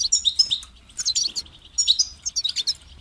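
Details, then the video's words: European goldfinch singing in short bursts of bright, twittering, high notes with quick trills and buzzy flourishes, separated by brief pauses; low background hum. "Highlighting motivating songs for creative goldfinches in simple ways"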